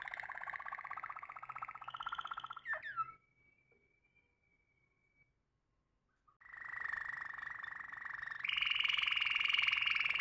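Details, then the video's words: Waterslager canary sings low, rolling, bubbling trills, then a long pure whistle, a pause, and more rapid rolling tours stepping up in pitch. "Waterslager Canary Singing - Unique Song of the Waterslager Canary"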